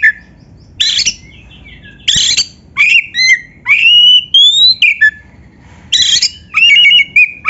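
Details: Singing Oriental magpie-robin on a training recording meant to set caged birds singing: loud scratchy bursts alternate with bright slurred whistles and quick chip notes, with short pauses between phrases.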